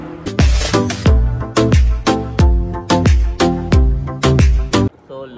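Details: Rhythmic Afrobeat-style music with heavy bass hits and a voice, with no animal sound.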